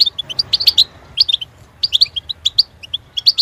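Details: European goldfinch singing a rapid, tinkling twitter of bright chirps and short buzzy notes, clustered in bursts with brief pauses, some sharp clicky elements, over a faint low hum.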